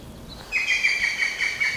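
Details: European green woodpecker singing near Neuchâtel, Switzerland, in woodland edges and clearings: a loud, ringing, laughing run of rapid notes sagging slightly in pitch, over a quiet outdoor background.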